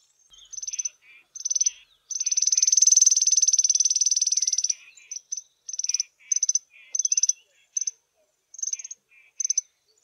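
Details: Small group of African firefinches sitting in the sun on a chilly morning in South Africa: high trilled phrases, several short rattling bursts then a long even trill near three seconds, followed by more brief rapid trills and soft chips.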